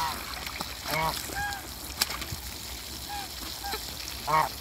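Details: Muscovy ducks playing in water in a backyard farm give short, harmonic honking calls in scattered bursts, with a louder call near the end over a steady background hum.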